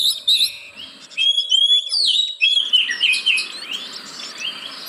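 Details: Oriental magpie-robin (kacer) song used as a lure to get reluctant caged birds singing: rich whistled and slurred notes at high pitch, varied phrases with brief pauses, steady faint background hiss.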